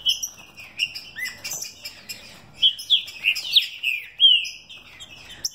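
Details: Green-winged saltator, a caged mutation bird from a São Paulo breeder, giving fast fibra and velocidade song: clear whistled notes that swoop and slur, packed into a quick rising-and-falling run.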